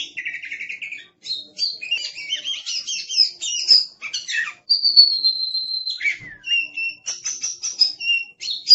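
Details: Aggressive oriental magpie-robin pouring out a loud, varied song of quick trills, sharp chirps and buzzy phrases, with a sustained level whistle and a dropping slur midway.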